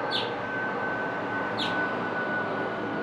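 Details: An adult male house finch in Elkridge, Maryland, on 9 April 2024, gives two short, bright downward chirps about a second and a half apart, over a steady rumble of traffic and a faint constant hum.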